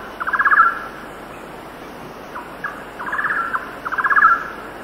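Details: Golden-naped barbet song at 6,000 ft on a windy day, with cicadas and distant birds: short bursts of rapid, hollow trilled notes, repeated three times over about five seconds, over a faint steady hiss.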